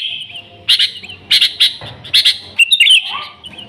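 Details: Lively Sooty-headed bulbul song used to lure others of its kind, free of other birds: a few spaced pairs of bright chirps, then a quick warbled phrase that runs into a soft lower note.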